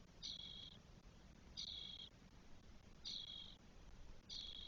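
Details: Spotless starling nest with four 12-day-old chicks, Spain, 1 June 2022. Four grating, wheezy screeches, each roughly half a second long, repeat about every one and a half seconds over light background hum.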